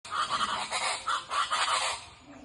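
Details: Guacharacas (chachalacas) in the Colombian countryside, the farmers' alarm clock at dawn, calling in loud harsh, raucous bursts that overlap in a rhythmic chorus for about two seconds, then fade.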